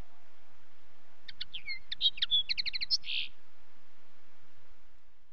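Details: Common linnet song: a run of quick chirps building into rapidly repeated twittering notes, ending in a harsher buzzy note, with low rumbling noise underneath.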